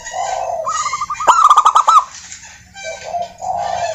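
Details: Local wild zebra dove singing as a lure for other doves: soft low coos around a sudden fast stuttering run of bright, clicking notes that ends abruptly.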